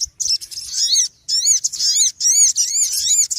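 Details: Noisy small bird calling in near-continuous loud bursts of high, arching chirps, each with a bright ringing tone, broken only by brief gaps.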